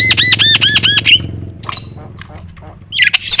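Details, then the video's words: Loud Javan myna song, full of varied fill phrases and used to stir other mynas to sing; about six quick arched whistled notes in a row, then scattered harsh squawks and a final burst of rough chatter. "suara KERAS jalak kebo gacor full isian bikin semua burung jalak emosi gacor"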